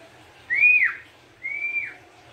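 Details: Sooty-headed bulbul in lively song, suited as a lure and therapy for other birds: two clear whistled notes, the first rising then dropping sharply, the second level and ending in a downward slur, with a faint low hum beneath.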